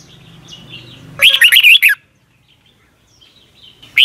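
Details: Red-whiskered bulbul singing in Thailand, a song played daily at morning for young caged birds to learn. A faint low hum, then one loud warbled phrase of swooping notes; another phrase begins at the end.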